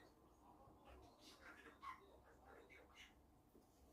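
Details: Pet budgerigar recorded secretly while talking to itself, as it falls silent when approached: a quiet, soft run of raspy, speech-like syllables in a small room.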